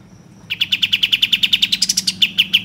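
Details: Bulbul sound used as a lure to make other birds sing energetically and open their tails: after half a second of quiet, a fast, even series of about twenty sharp high chirps, briefly climbing to shriller notes before settling back, over a faint low hum.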